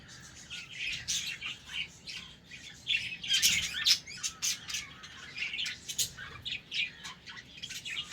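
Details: Budgerigars in a breeding colony setup, heard in the morning while playing: soft overlapping warbling chirps and short squawks from several birds, irregular and continuous, with faint room background.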